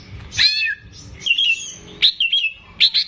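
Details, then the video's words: Caged greater green leafbird (cucak ijo) in lively song, used to teach young birds: loud slurred whistles dropping in pitch, then quick chirpy phrases, with a low rumbling background. "CUCAK IJO GACOR"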